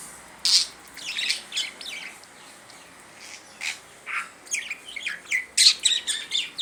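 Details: Pet budgerigar talking in a long, scratchy stream of chattering chirps and buzzy syllables, growing busier toward the end.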